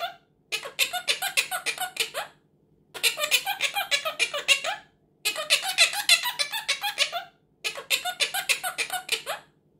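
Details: A Quaker parrot (Monk parakeet) being taught to say "tickle tickle" gives four bursts of rapid, squeaky, high-pitched chatter resembling words and giggles, each about two seconds with short pauses between.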